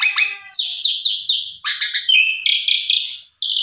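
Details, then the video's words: Short burst of Asian pied starling song, meant to stir another bird into singing: rapid rhythmic rasping notes repeated about four times a second, ending in a harsh phrase. "Jalak Suren Macet !! Coba Pancing Dengan Jalak Suren Ini !! Respon Ngotot Gacor Isian Komplit"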